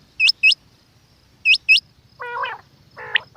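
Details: Female quail: two pairs of short hooked whistles, then raspy, nasal buzzing notes with a sharp chirp. A faint low rumble sits in the background.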